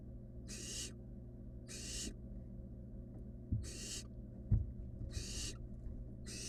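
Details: Five drawn-out breathy hisses from a barn owl nestling next to a rabbit, roughly one per second, with faint clicks and a constant low drone underneath.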